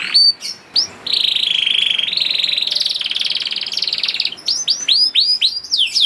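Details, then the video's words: Young canary singing as a lure for reluctant canaries: a few swooping notes, then a long steady buzzy rolled trill lasting about three seconds, ending in quick arched swoops. "PANCINGAN KENARI PAUD TERBUKTI AMPUH MEMANCING KENARI SUSAH BUNYI IKUT GACOR"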